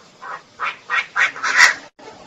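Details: Female Chinese francolin: five rasping, nasal notes repeated about every third of a second and building in loudness, then a brief cut.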